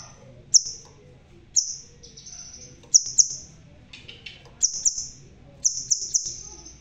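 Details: Red-tailed crimson sunbird, bald but still singing loudly: piercing high notes in pairs and triplets followed by drawn-out thin, hissy trills, with a brief softer rustle midway.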